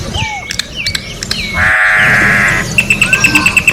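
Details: Orange-backed troupial song recorded in nature for training other birds: several descending slurred whistles, a loud buzzy rasp of about a second, then a fast even series of sharp ticking notes, over a constant low hum.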